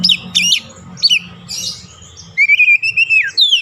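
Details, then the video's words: Oriental magpie-robin song meant to stimulate a bird that has stopped singing: short sharp chips and squeaky notes, then a sustained warbled whistle broken into quick pulses and ending in a downward slur. "KICAUAN PEMIKAT DAN PERANGSANG BUNYI | Kacer stres macet bunyi langsung gacor"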